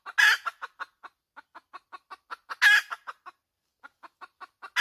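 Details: Hen opening with a loud rasping squawk, then clucks, a second squawk, and a quick cluck run into the start of a third squawk.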